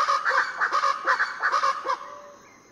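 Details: Before dawn on Foengoe Island, Suriname, Variable Chachalacas give a loud, coarse, pulsing chorus of repeated rhythmic phrases, about six bursts in under two seconds, then stopping abruptly with a faint distant call left.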